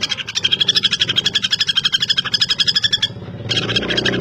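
A common flameback gives a fast, dry, high rattle of about ten notes a second for three seconds, then pauses briefly before starting again.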